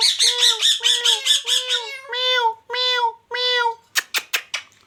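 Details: Talking pet ringneck parrot imitating a cat's meow. It gives a run of about seven quick nasal, harmonic mewing notes, then longer drawn-out meows, and ends with a few sharp clicks, all indoors.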